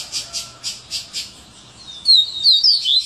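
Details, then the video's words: Coleiro, "serra elétrica" song style: about five evenly spaced buzzy high pulses, then a quick run of sharp, slurred whistles. "Coleiro Serra elétrica"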